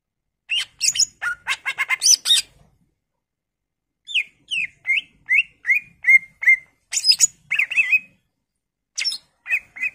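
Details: Greater green leafbird mixing scratchy chattering bursts with a clear series of descending slurred whistles, then more harsh notes and brief whistled phrases.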